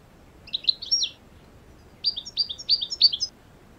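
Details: European goldfinches free in the wild, away from cages: two bursts of quick, high, tinkling twittered notes, the second a run of about five sharp chirps, over faint background rustle.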